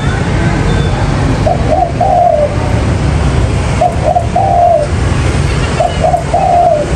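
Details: Spotted dove trapping lure call: three separate phrases of two quick coos and a long falling note, spaced about two seconds apart, with heavy low background rumble.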